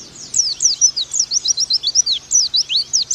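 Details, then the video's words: Oriental white-eye tutor song, brisk high-pitched chirps that fall in pitch, repeated about four times a second in a lively, continuous run. "Pleci Bakalan Nembak Pake masteran ini!!!"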